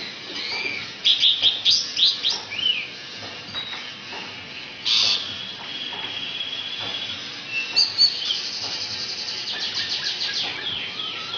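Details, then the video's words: Asian pied starling singing a rambling, varied song of chirps, rapid trills and whistled phrases, borrowing notes from magpie-robin and canary; a steady high hiss runs underneath. "Jalak Suren Isian Kacer & Kenari"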